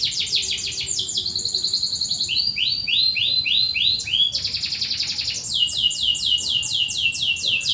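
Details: Canary song used to lure and teach hesitant singers: rapid chirp trills, then slower sets of about five sweeping notes, followed by faster rolling tours of repeated syllables.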